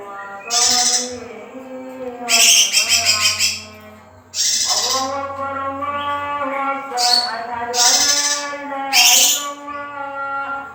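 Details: A young male lesser green leafbird delivers loud, harsh, high phrases, some with fast stuttering notes, alternating with lower, rich whistled tones, the bursts coming every one to two seconds over a faint steady hum.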